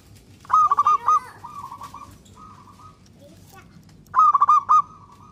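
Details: Local zebra dove singing to stir other doves into calling: two loud pulsed cooing phrases a few seconds apart, with softer trailing coos and a low rumbling background between them.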